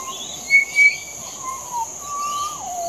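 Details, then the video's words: Adult pied butcherbird singing: two short bright notes, then long, pure fluted whistles that waver and slide downward at the end, over a steady high insect drone. "Pied Butcherbird Singing"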